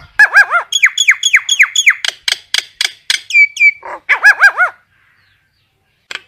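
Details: Common myna summoning its flock with a fast series of repeated arching whistled notes mixed with sharp clicks, a couple of downslurred whistles, then more arching whistles before falling silent.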